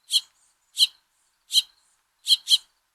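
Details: House finch fledglings from the first brood of the year beg for food as their father feeds them. They give five short, bright chirps about every three-quarters of a second, the last two in a quick pair, against a quiet background.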